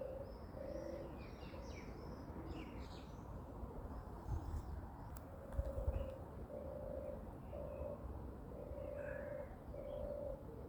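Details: European turtle dove walking on the ground, 29 May 2023 at 6:34 am, gives low, soft purring phrases about once a second, with faint chirps of other small birds and a low background rumble.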